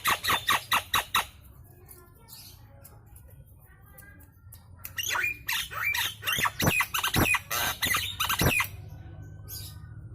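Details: A Nias hill myna sings loudly as a lure to prompt other birds: six clipped harsh notes, a quiet gap, then a dense, varied stream of loud squawks and whistles.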